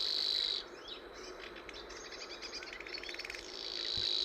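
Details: Savi's Warbler, an elusive migratory bird breeding in tall reed beds, gives its mate-seeking call: a dry, insect-like reel, a steady high buzz broken by rapid ticking pulses, over faint background hiss.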